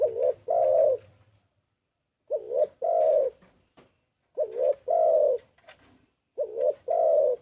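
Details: Lure recording of a spotted dove giving four repeated coo phrases. Each is a short two-note rising coo followed by a drawn-out, stronger coo, with a low hum at the start and a few faint clicks.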